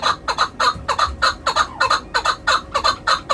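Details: A shikari (hunting) chukar gives rough doubled notes, chuk-ar, chuk-ar, in quick pairs, about a dozen notes in three seconds. Each note is throaty and slightly rising, with a faint low rumble underneath.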